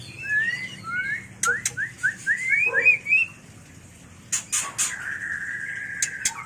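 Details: White-rumped shama mating song for bird training and luring: fast run of about ten descending-then-rising whistled notes, a brief pause, then a long steady whistle with clicks.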